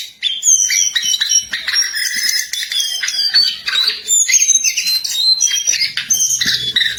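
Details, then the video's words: Jongkangan in the wild in full song: dense, jumbled twittering with sharp chirps and thin whistled slurs, several notes overlapping. "Burung Jongkangan Gacor"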